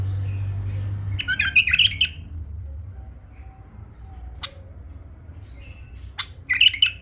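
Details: Tame male bulbul singing a short, bubbly warbled phrase of liquid notes, then a sharp click, a soft pause, and a second brief warble at the end.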